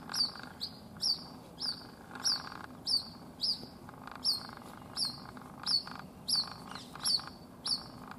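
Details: White-breasted waterhen chick calling for its absent mother at a house in Rajasthan, India; loud, clear, high peeps slurring downward, repeated about every two-thirds of a second, some given in quick pairs.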